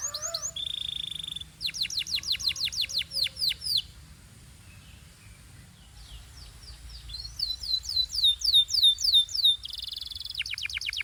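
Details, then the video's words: Canary in Belgian-style song, joined by other birds: swept whistles and held buzzy tones, a quiet lull mid-phrase, then a run of rising arched whistles and a steady buzzing note. "This Canary’s Melody Makes All Birds Join In – Pure Belgian Singing"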